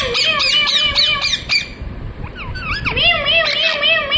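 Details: Rapid squawky chirps from a parrot, a fast burst of harsh notes followed by sliding, curved whistles.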